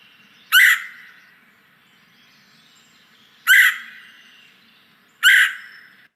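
A Red-headed Woodpecker gives three harsh, raspy calls, each short and hoarse, with gaps of about two to three seconds; otherwise quiet.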